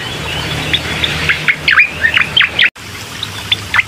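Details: Bar-winged prinia song used to coax a reluctant bird: soft, bending high notes building into a few louder V-shaped chirps, then a sudden cut and a couple of final notes.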